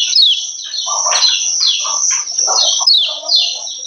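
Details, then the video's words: Female lemon-bellied white-eye uttering 'ciak ciak' calls intended to excite males into singing: sustained high twittering with quick downslurred notes throughout, backed by softer low buzzy chatter. "Ciak Ciak Kecial Kuning BETINA Ampuh Naikin BIRAHI Bikin Kecial RAJIN BUNYI"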